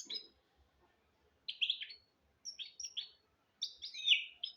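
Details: Goldfinch × canary hybrid giving short twittering song phrases separated by silences, each a cluster of high chirpy notes, the last one longer and slurred; kept to teach goldfinches and canaries.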